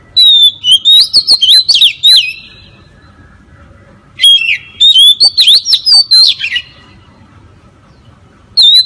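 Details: Lure recording of an oriental magpie-robin: two long bouts of rapid, varied whistles, sharp chirps and scratchy notes separated by a quiet gap, with a fresh whistled phrase starting at the end; faint low rumble behind.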